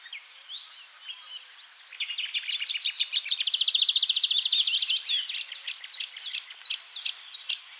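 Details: Tree pipit (Anthus trivialis) singing in Bakkum, Netherlands, 2023: a fast, high trill of rapid repeated notes slowing into thin, drawn-out descending 'seea' notes. Faint chirps come beforehand, and nightingale, willow warbler, chiffchaff and great tit occur nearby.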